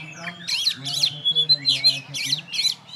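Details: Caged champion oriental magpie-robin hung alone on a stand without rival birds, giving a rhythmic run of harsh, rasping, high notes about five times in three seconds, over a low steady hum.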